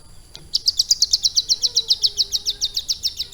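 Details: Captive hill prinia, schooled over roughly three months to carry lovebird-style phrases, bursts into a rapid, even series of shrill, piercing chips, about six per second, running steadily to the end.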